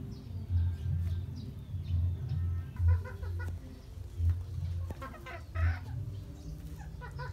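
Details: Polish chicken clucking in short harmonic bursts, irregularly spaced, some doubled, with a heavy low-pitched rumble running beneath throughout.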